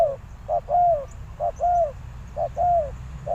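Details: Spotted dove decoy cooing to lure wild doves, giving three evenly spaced phrases, each a quick short coo followed by a smooth, longer downward-curving coo.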